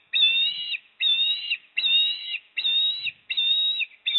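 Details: At the Port Lincoln osprey nest, 26 September 2024, during a fish delivery by the male and feeding by the female, six level whistles with overtones sound in a regular rhythm, a little under one per second.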